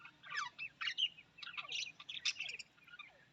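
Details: Australian parrot warbling and chattering in rapid scratchy phrases that rise and fall, with short gaps between bursts.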